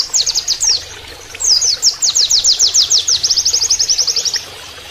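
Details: An Oriental white-eye gives canary-style song, rapid long bursts of thin, very high, down-slurred notes at several per second, with a running-water sound added and a faint hiss beneath.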